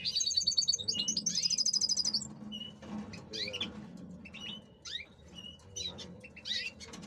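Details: Male European goldfinch prepared for breeding season in captivity: bright high tinkling trill and buzzy rattle in the first two seconds, then scattered sharp twitters and short whistled notes over a steady low hum.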